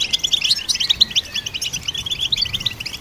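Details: Goldfinch song, a quick series of crisp, high, tinkling chirps in rapid overlapping bursts, rhythmic and sparkling, with no other clear sounds.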